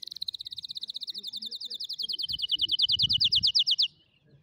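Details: Canary song used to teach young canaries to sing: a fast, even trill of about thirty rapid repeated notes, slowly falling in pitch over nearly four seconds, then stopping abruptly, with faint low rumbling underneath.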